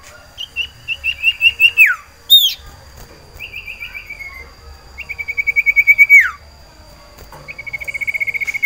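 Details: Cipoh sirtu iora in breeding condition, caged and calling for a female: long rapid trills of pulsed whistles, each ending in a steep downward sweep, separated by short gaps, with one high sharp note between.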